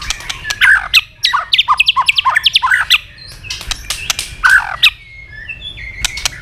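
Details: White-rumped shama flicking its tail continuously while singing a fast, intense fighting song: a rapid varied burst of sharp whistled notes, rising and falling slurs and clicks, then quieter short whistles.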